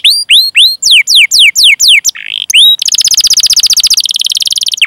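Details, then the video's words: Canary master track with long 'cuit cuit' chirping and rolling, used to prompt young, untrained or silent canaries to sing: loud repeated downward-sweeping whistles, roughly four per second, then a fast, sustained buzzing roll. "Masteran Suara Burung Kenari Gacor Panjang cuit cuit Ngerol untuk Pancingan Kenari!"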